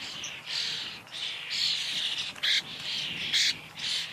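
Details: Common starling (Sturnus vulgaris) singing: harsh, hissing bursts of buzzy notes, mostly high-pitched, with brief squeaky accents, about one phrase per second, with low background hum.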